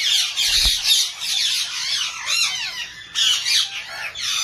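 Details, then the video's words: Rose-ringed parakeet giving harsh, grating squawks in loud bursts, some rising then falling, with short pauses between bursts; a brief low thump near the start. "Ringneck Parrot Birds Parrot"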